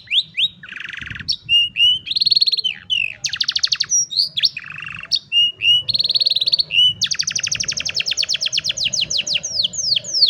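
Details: Canary song used for training young canaries, recorded on a cellphone: loud, varied phrases of rapid trills, buzzy rolls and sweeping whistles, ending in a long fast trill around the ninth second.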